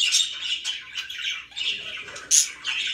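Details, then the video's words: Budgerigars kept as pets chirping, a run of raspy chattering notes broken by one sharp, very high squeak. "#chirpingbirds #budgie"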